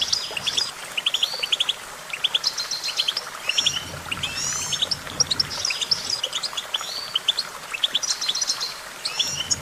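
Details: Goldfinch twittering steadily, quick high chirps mixed with liquid slurred phrases and short buzzy trills, almost without pause.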